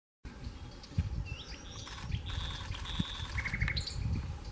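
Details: Nightingale singing: sustained pure whistled tones and a short rapid run of repeated notes, over heavy low rumbling background noise.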